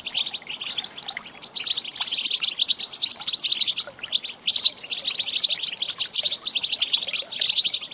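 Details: Female European goldfinch calling to stir males into singing: a steady chatter of quick high twitters, softer at first, then louder and denser from about two seconds on.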